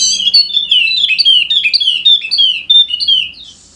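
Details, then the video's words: Continuous gacor song of a golden-headed Wallacean white-eye from Sumbawa, West Nusa Tenggara, played to prompt idle birds to sing: a rapid, unbroken stream of high, sweet, down-slurred chirps, fading with a soft hiss at the end. "Pancingan Khusus Untuk Burung Pleci Wallacea Yang Malas Bunyi Agar Rajin Bunyi Gacor!!!"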